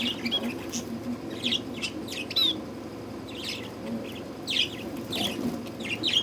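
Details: Pet budgerigars feeling the summer heat, giving short, high, scratchy chirps and squeaks in scattered bursts, with a steady low hum underneath.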